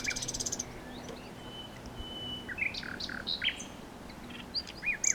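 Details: Common nightingale singing: scattered short chirps and clear whistled phrases, including a level sustained whistle, rather quiet, with gaps between phrases and a low steady hum underneath.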